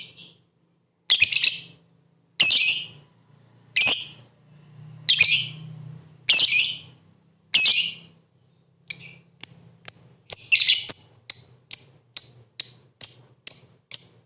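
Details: Lovebird song meant to provoke rival birds to sing and compete: rasping high chatter phrases roughly every 1.3 seconds, then a quick series of short, sharp squeaky chips about twice a second, over a faint low hum.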